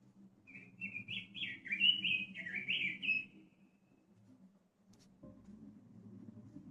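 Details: A Red-billed leiothrix, a caged songbird, sings one quick, fluty warbling phrase of rising and falling notes lasting about three seconds, over a low steady background hum.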